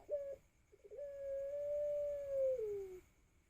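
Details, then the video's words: Young Pelung dove, four to five months old, learning to sing, recorded on a phone: two short opening notes, then a long, steady, drawn-out cooing tone that slides downward at its end. "Puter Pelung Paud Belajar Narik Suara"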